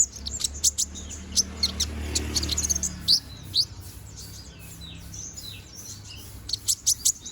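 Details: Konin bird, a young bird growing new feathers, in constant song: sharp high chirps and fast twittering phrases in irregular bursts over a faint low rumble.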